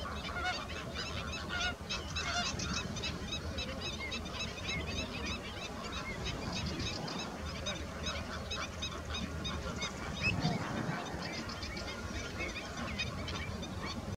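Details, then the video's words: A flock of greater flamingos (Phoenicopterus roseus) gives a dense, continuous chorus of nasal, goose-like honks and gabbling calls, with no pause between callers. "Greater Flamingo, Fenicottero rosa (Phoenicopterus roseus)"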